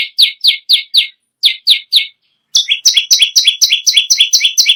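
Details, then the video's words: Bar-winged prinia in lively song, used to tutor other birds: clear downslurred notes in two short groups, then a quicker, buzzier run of two-tone chips. "BURUNG PERENJAK BAWAH/LUMUT GACOR NGAMUK PARAH"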